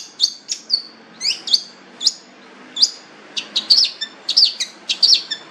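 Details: Cendet, the long-tailed shrike, delivering spaced, sharp whistled notes and short slurred chirps, irregular at first and then clustering into quicker twittering bursts near the end.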